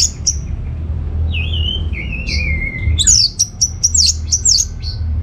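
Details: A captive Orange-headed thrush, played as a lure to prompt other birds to sing, gives a long wavering descending whistle, then a rapid run of sharp, high chirped and slurred notes, over low rumbling background noise.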